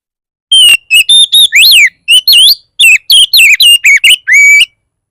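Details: Provocation song of an Oriental magpie-robin, used to get other magpie-robins singing: a rapid string of loud whistled notes, arched sweeps and twisting slurs, ending with a long level whistle.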